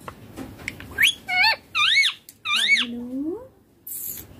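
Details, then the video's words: Baby ringneck parrot calling indoors: a run of loud, harsh, arched squawks, each rising then falling, given in quick bursts with short gaps, after a few faint clicks. "Baby ringneck parrot natural sounds"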